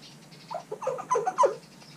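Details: Pet common hill myna kept indoors, 312 g, on 17 October 2021, bathed early in the morning because of poor weather. Short run of nasal, harmonic notes over about a second, growing louder toward the end, in a quiet room.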